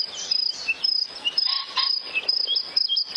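Bluethroat song: a quick, varied run of high chirps, twangs and a brief lower whistle, over a steady, shrill insect-like trill.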